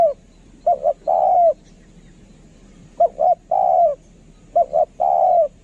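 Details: Spotted dove kept as a decoy for luring repeats its song three times: two short coos and a drawn-out falling croo, with a long quiet gap after the first phrase.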